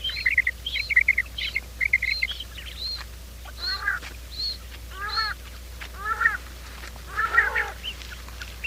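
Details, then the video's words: Quail calling in the morning, a recording used to lure quail for trapping: overlapping birds give nasal, harmonic notes and short high ringing arcs, several calls per second, over a steady low hum. "quail sound"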